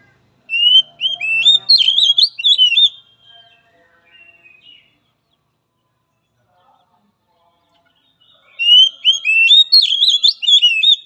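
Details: Oriental magpie-robin song for training a weak-spirited bird: two bursts of loud, jumbled whistles and quick slurred notes separated by several seconds of near silence with faint soft sounds.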